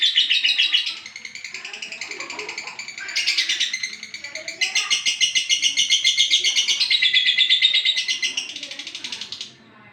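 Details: Olive lovebird delivering long bouts of chattering song, fast buzzy twitter broken into several bursts separated by brief quieter gaps, ending abruptly.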